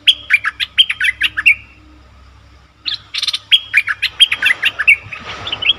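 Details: Bulbul recorded to lure wild birds: two lively bursts of quick, clear, down-slurred notes split by a pause, the second phrase joined by a rough scratchy noise.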